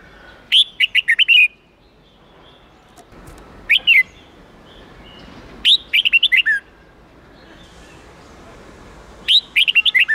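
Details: Red-whiskered bulbul singing the forest-standard '8-9-10' song style, used to train young birds to learn it: four bursts of bright warbled whistled notes, mostly rapid phrases of five or six notes, one short pair, over quiet hiss.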